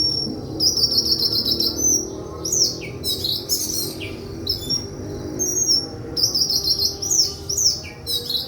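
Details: White-throated flycatcher singing: thin high whistled notes held level, then bursts of rapid buzzy sweeping and down-slurred phrases, pausing and resuming with the same pattern against a low background rumble.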